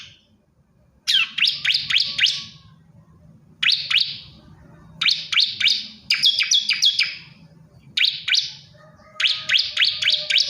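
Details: Male bar-winged prinia calling a female: bursts of four to six sharp, high, downslurred chirps, each burst lasting about a second and repeated every two to three seconds, over a faint low hum.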